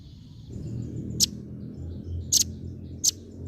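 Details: A female velvet-fronted nuthatch gives sharp, very high, thin chipping notes, single or doubled, spaced about a second apart, over a low background rumble.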